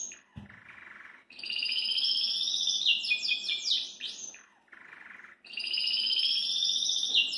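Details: Caged Belgian canary song: a quieter low warble leads into loud, sustained high trills, a burst of rapid rising and falling sweeps, a pause with soft warbling, then another long bright trill.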